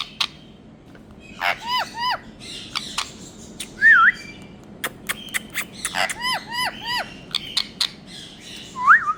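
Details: Rose-ringed parakeet, a green Indian ringneck parrot: repeated arched whistles in short bursts, a wavering whistled note, and clicking sounds, ending with another rising wavy whistle.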